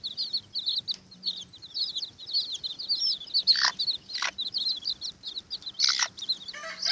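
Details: Several Watermaalse bantam chicks quarrel over an earthworm, giving continuous high, shrill peeping with quick chirps, broken by a few sharp scratching and scuffling noises.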